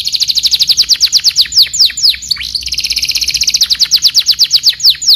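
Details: Canary singing a full stuffed walnut master song, with rapid high trilled tours of repeated notes, a brief burst of sharp downward sweeps near the middle, then another long even trill.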